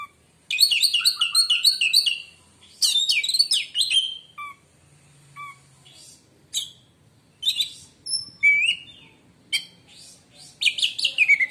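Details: Oriental magpie-robin in full song, meant to make other magpie-robins go quiet: fast repeated whistled notes and trills, then scattered downslurred whistles and a final burst of varied chatter.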